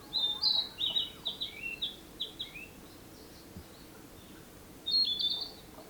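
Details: Narcissus flycatcher song from 2017: a rapid string of bright whistled notes in the opening two seconds, a quiet gap, then another short whistled phrase near the end, with faint low background noise throughout.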